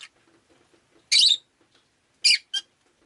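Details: Rosy-faced lovebird kept indoors, rainy day: a long harsh screechy chirp, then a second chirp quickly followed by a shorter squeak, over faint low street noise.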